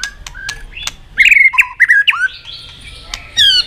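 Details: White-rumped shama; song; competitive singing to provoke a rival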